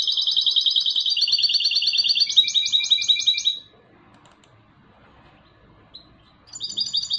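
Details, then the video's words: European goldfinch hybrid singing a bright, rapid run of high, metallic twittering notes in repeated buzzy trills for about three seconds, a pause, then another short high trilled phrase. "UN RATITO DE CANTO DE MIXTO DEL JILGUERO"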